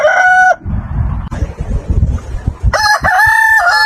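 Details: Chicken farm rooster giving crows: the tail of a crow, a noisy pause with low clucking and rustling, then a strong, steady, harmonic crow held to the end.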